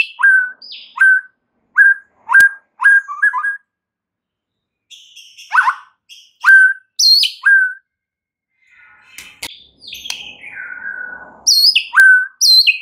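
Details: White-rumped shama song played as a lure to rouse other birds: clear whistled notes repeated in short bursts, a long pause, then varied downslurred and rising whistles with a sweeping descending phrase.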